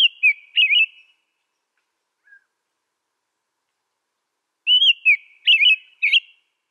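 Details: An American robin delivers a group of three or four liquid whistled phrases, falls silent for several seconds, then repeats with another run of four phrases; clean, quiet recording.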